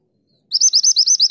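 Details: Mountain mantenan in full song for training other songbirds: after half a second of silence, a rapid string of about eight piercing, high whistles, each sliding up and down, running on without a pause.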